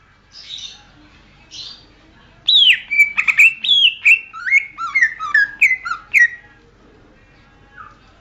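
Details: Greater green leafbird song used as training material for songbirds: after soft opening notes, a loud burst of whistled, slurred phrases sweeping up and down, rapidly varied and chattering, then a faint closing note.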